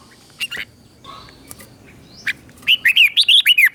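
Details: Red-whiskered bulbul teacher song in the doubled 'beul' style, used to stimulate caged bulbuls: scattered faint chirps, then a quick clear burst of six bright, bouncing, slurred whistles at the end.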